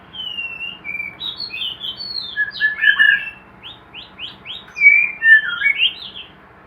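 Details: White-rumped shama in a hanging cage at a breeding setup delivers a rich, fast medley of clear whistled phrases, with a run of short repeated rising notes midway and louder slurred notes near the end.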